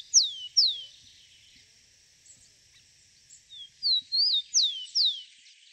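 Rufous-collared sparrow singing: two clear, high down-slurred whistles, a pause, then a quick run of five sweeping slurred notes, over a faint high hiss.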